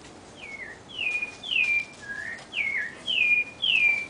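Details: A thrush (sabiá) sings clear whistled phrases, each sliding downward, about seven in four seconds, over a soft background hiss, in a home backyard in a big city.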